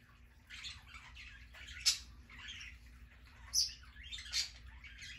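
Bourke's parakeet giving a few short, sharp high chirps every second or so over a steady hiss of falling water.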